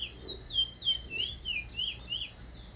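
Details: Teacher bird singing a clean roll: high whistled notes that slur downward, repeated about every third of a second in a steady series, over a constant high-pitched hum.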